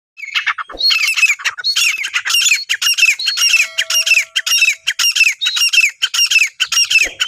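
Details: Female black francolin (desi teetar) calling: a dense run of harsh, squawking notes with rapid downward-curving strokes, repeated nearly continuously, roughly 105 bursts a minute, with a faint steady hum in the background.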